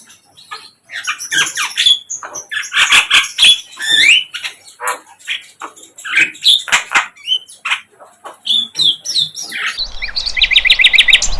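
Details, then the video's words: Flycatcher, locally sikatan londo, in the wild, singing a long lively sequence of varied chirps, squeaks and short whistled notes at an irregular quick pace, ending in a fast rattling trill. "Sikatan LONDO"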